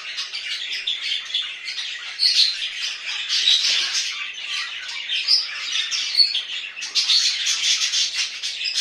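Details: Pet budgerigars kept in a home chatter without a break, a dense, scratchy, warbling stream with sharp chirps scattered through it.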